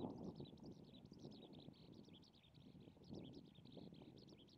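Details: Eurasian skylark singing in early February over farmland in Kanto, Japan, already starting its song season: a continuous high, chirping warble of rapid twittering notes without pause, faint over a steady low rumble of wind and distant traffic.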